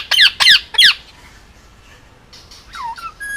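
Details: Almost two-year-old male Indian ringneck parakeet, hand-fed and kept on Oahu, Hawaii, lets out three harsh, loud squawks in quick succession, followed by softer looping whistled notes.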